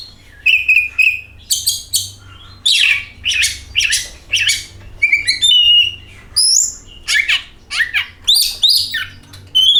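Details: Oriental magpie-robin song meant to coax birds into singing: an energetic run of whistles, harsh buzzy bursts and quick chirped notes, phrases delivered almost without pause over ten seconds, loud and high-pitched.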